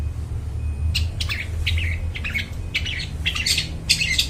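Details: Long-tailed shrike in full voice, recorded as a lure for wild forest birds; a sequence of rasping, squawky notes with some higher clipped chips, partly masked by a strong low rumble.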